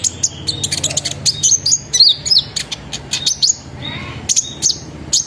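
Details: Sunbird singing energetically as a lure for other sunbirds: dense, rapid high-pitched twittering with sharp chips, short trills and downslurred notes packed almost continuously.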